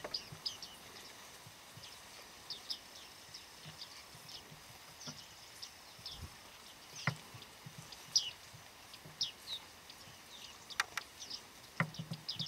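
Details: Bearded reedlings in a small autumn flock, Shirvan National Park, Flamingo Lake, Azerbaijan, November 8, 2013: scattered high, pinging and ticking calls repeated irregularly throughout, with occasional soft knocks and clicks nearby.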